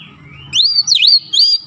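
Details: Brief White-rumped shama lure song: three loud, clear whistled notes, one swooping down and back up, over faint low background noise.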